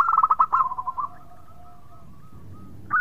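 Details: Local zebra dove, a frequent sweet singer said to prompt others to call, gives a fast bubbling run of cooed notes that slows and fades into a long soft trailing coo, then a fresh note begins.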